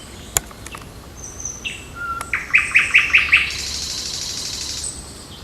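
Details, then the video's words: Birds singing on a June 8 morning in a park and forest: scattered thin high whistles, then a series of five loud, evenly spaced notes, followed by a buzzy high trill over steady background hiss. "Пение птиц утром в парке и в лесу 8 июня"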